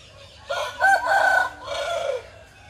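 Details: Rooster crowing in the morning: one loud, drawn-out cock-a-doodle-doo of about two seconds, rising into a strained middle and trailing off, over a low steady background hum.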